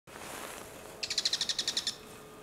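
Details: Male bull-headed shrike at Nakamadaira, Saitama, Japan: a rapid dry chattering series of about ten sharp high notes lasting under a second, after quiet background.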